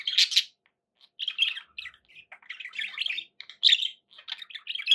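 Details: Budgies kept as pets: a loud scratchy squawk opens, then a steady run of warbled chirps and twittering notes with brief pauses.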